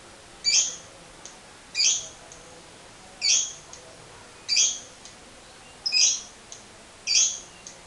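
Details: Lovebird in 'ngekek panjang' style, played as a lure for other lovebirds: six sharp, harsh squawking chirps spaced a little over a second apart, with faint ticks between them and a quiet background.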